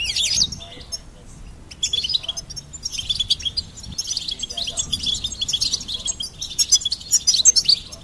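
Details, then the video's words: Goldfinch singing: a dense, fast twittering of high liquid chirps and trills, bursts at the start and then near-continuous warbling that grows louder toward the end. "Goldfinch Singing and Song Compilation"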